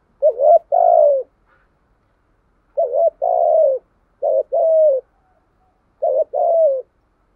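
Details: Decoy recording of a spotted dove meant to stir up wild birds: four low two-part coos, each a quick wavering note then a drawn-out descending one, delivered at irregular intervals.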